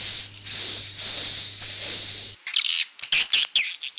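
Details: Swiftlet roosting lure sound, played to draw birds into nest houses in Malaysia and Indonesia: a long, shrill, steady high whistle, then a burst of sharp, clicking chirps, over a low electrical hum.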